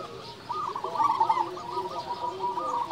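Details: Local zebra dove singing: a gurgling, warbling run of coos that swells and fades, layered with softer overlapping cooing from other doves.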